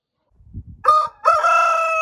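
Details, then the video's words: Single rooster crow, preceded by faint low clucking, opening with a brief harmonic note before a loud sustained, steady-pitched crow that runs to the end. "Roosters crowing compilation | Sounds of roosters"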